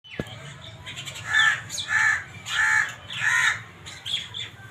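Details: Black francolin calling: a rhythmic run of four harsh, grating notes about every 0.7 seconds, each a rasping burst, with a faint low hum in the background.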